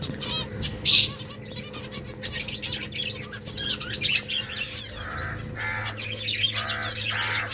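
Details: Several finches eating rice give a busy stream of short, high chirps and twitters, calling over one another in quick bursts and pauses.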